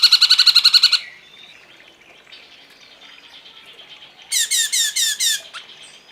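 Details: Cungkok in a masteran tutoring recording for songbirds: a rapid, even trill of harmonic buzzy notes for about one second, a quiet pause, then a burst of louder, downslurred buzzy notes repeated in quick succession.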